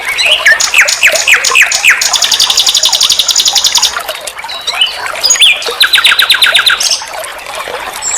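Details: Song of a common nightingale, recorded as vocal training for songbirds: several loud down-slurred notes, a sustained rapid buzzy trill, a brief pause in a quieter passage, then another rattling trill of repeated notes.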